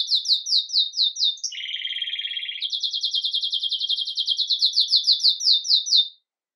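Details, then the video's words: Belgian canary of the agate red mosaic variety, singing in the Campainha style while starting the day, recorded live: rapid high trills of evenly repeated notes, dropping briefly into a lower rolling trill before returning to the fast high series. "Canário Belga Ágata Vermelho Mosaico Canto Campainha"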